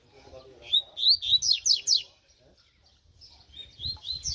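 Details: Mutant double-collared seedeater singing during training: a strong sequence of about six sharp, rapid downslurred notes, then a brief lull and softer whistled phrases picking up again at the end.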